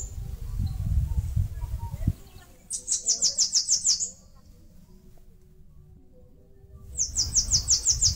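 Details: A Bananaquit (chupa-caju, sibite) nesting in a mandacaru cactus in northeastern Brazil repeats its song twice: quick runs of about eight thin, high, buzzy notes separated by several seconds of near quiet, with low rumbling earlier.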